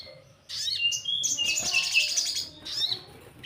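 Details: Orange-headed thrush singing, a lure for untrained birds: after a short pause, loud varied warbling begins with sweeping whistles, then a long rapid chatter of high notes, and a last rising phrase.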